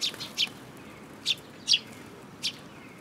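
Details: A mimicking sparrow among a sparrow group at a Tenmangu shrine, 5 June 2022: quick high chirps, a tight cluster at first, then three separate bright notes half a second or more apart.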